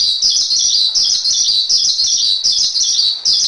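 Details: Javan pied starling song used as a training recording for cage birds: a dense, continuous high chatter of rapid scratchy notes packed tightly together, with short dips in loudness about every half second and no other sounds.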